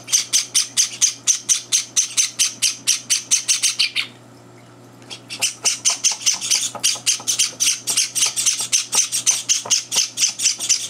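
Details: Java sparrow chicks clamouring for breakfast while older birds intrude; rapid shrill chirping, a second of quiet, then an even denser, faster burst of high begging calls.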